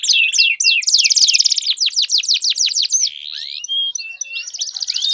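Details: Canary song played to stimulate a canary that won't sing: a level whistle, a fast rolling trill, a series of deep downward sweeps, then a rising whistled note and renewed trilling.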